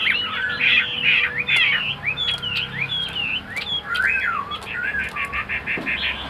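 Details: Tame caged Chinese hwamei from Vietnam pouring out a varied whistled song: rapid twisting slurs, then looping rising-falling notes, ending in a quick run of evenly repeated short bright notes.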